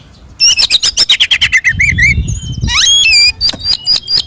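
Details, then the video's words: Oriental magpie-robin in fighting song meant to provoke rivals: a fast run of clipped whistled notes, then a rising slurred whistle and scattered chips, over low rumbling background noise. "SUARA BURUNG kacer gacor NGEPLONG TARUNG ini paling AMPUH buat PANCINGAN KACER agar EMOSI NYAUT"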